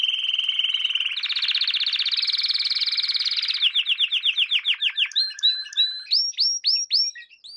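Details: Canary song used as a lesson for young canaries: rolling trills stepping up in pitch, then a series of distinct descending whistled notes, ending with spaced, sharply rising upslurred whistles.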